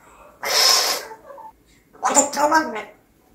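A grey parrot gives two short, speech-like bursts: a breathy, hissing sound like a sneeze, then a rougher, voice-like phrase a second later. The room is otherwise quiet.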